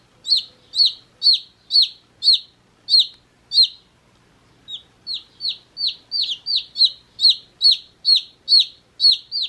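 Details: Chirping of one-day-old chicks: a steady series of shrill falling peeps, a pause of about a second, then faster, denser peeping resumes.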